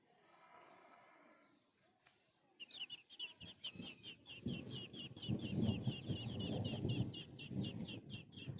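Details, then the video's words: Sparrow chick crying for food: after a brief harmonic call, a rapid run of thin high chirps, about three per second, over heavy low rumbling background noise. "sparrow with small baby crying for eating"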